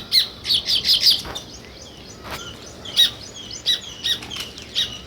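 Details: Sparrow gives short, separate sharp chirps, several in quick succession at first, then spaced out in small bursts against quiet background.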